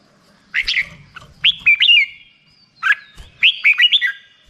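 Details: Two brief phrases from a black-crested bulbul: liquid rising-falling whistles with a sharp upward flick, a pause of about a second between them.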